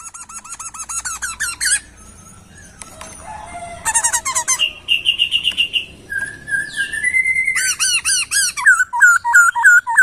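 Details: Laughingthrush song for training songbirds: bursts of rapid repeated hooked notes, a buzzy level trill, sliding whistles, then a long quick series of looping notes, with soft fluttering sounds throughout.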